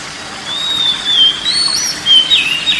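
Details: Oriental magpie-robin song played as relaxation therapy for a stressed or quiet caged bird: long clear whistles sliding between high pitches, rising and falling smoothly, with light background hiss.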